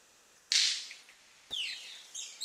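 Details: Manakin (saltarín barbiamarillo) at a lek in the western cordillera, where males make dry snaps with their wings and call for females. A loud crackling snap is followed by a steeply falling whistled call and softer high notes.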